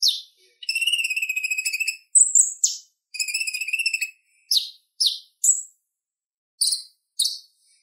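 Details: Purple-throated sunbird singing a clear, relaxed chattering song used for training other birds: two long buzzy trills of rapid even pulses, each followed by sharp high chirps, with isolated notes trailing off.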